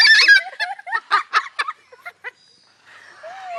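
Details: Mimicking people's laughs, a captive umbrella cockatoo in Pigeon Forge, Tennessee gives a harsh opening note and then a descending series of separate chuckling pulses that fade out, followed by soft background noise and a faint tone.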